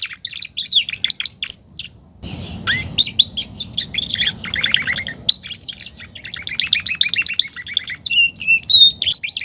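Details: Domesticated male canary singing a long varied song of twitters, rolls and trills with sharp whistled notes, over a faint background hiss partway through.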